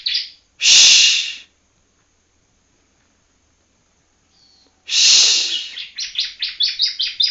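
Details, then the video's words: Juvenile Yellow-bellied Prinia from Palembang learning to sing: a brief high note, a loud rasping buzz, a long pause, another buzz, then a rapid series of sharp rising chirps. "anakan ciblek kuning palembang blajar bunyi"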